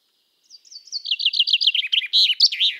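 A common chaffinch sings a quickening cascade of bright notes that tumbles downward, then ends in an emphatic flourish. There are no other sounds.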